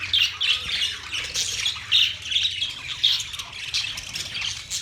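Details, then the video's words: Pet budgerigars chattering, high squeaky chirps and scratchy warbled notes repeated in rapid bursts roughly every half second, several birds overlapping, with faint low background hum. "Budgies singing | Budgies sounds | Budgies talking | Budgies chirping sounds"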